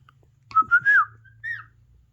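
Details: A household parrot, watching parrot videos on a mobile, utters a brief warbled, speech-like whistle that rises and falls, then a softer descending note, over a low steady hum.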